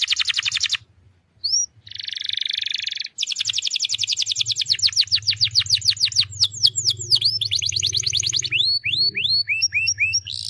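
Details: Canary song used as a lure for a canary that is slow to sing: buzzy rattles and long fast trills of downward-sweeping notes, ending in repeated rising slurs, over a low steady hum.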